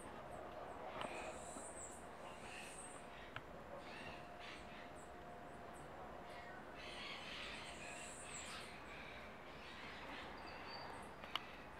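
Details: White-winged doves feeding on cracked corn in a back yard; low, steady hooting coos, faint under a background hiss, with brighter chirps and chatter from other birds above.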